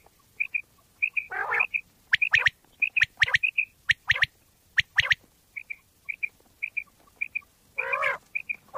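Common quail giving short, high, paired notes in a quick run, broken by harsh, nasal squawking bursts and sharp clicks.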